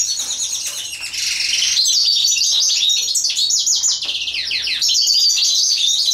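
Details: European goldfinch singing while mating, with fast, regular high twittering, chirpy slurred notes and bright trills delivered continuously and loudly.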